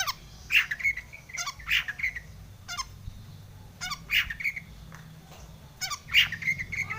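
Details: Long-tailed shrike song used as a lure to set other shrikes singing: clusters of harsh, squawking notes with brief whistles, arriving in bursts roughly every two seconds over a quiet background.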